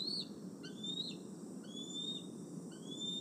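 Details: Bald eagle, a male near its old nest tree at Decorah on the evening of 26 August 2020, settling to roost; several thin, high whistled notes, some drawn out and level, others short and rising, over steady low rumbling noise.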